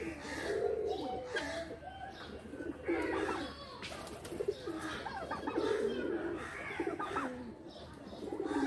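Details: Busy chorus of loft pigeons cooing, deep rolling phrases from several birds at once, repeated again and again with light clicks and chirps.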